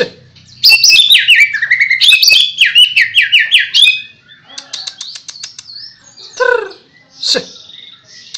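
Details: White-rumped shama, a hopeful contest winner, pours out fast rippling whistles and descending slurs for about four seconds. Softer scattered ticks and a few isolated swooping notes follow in a quiet pause.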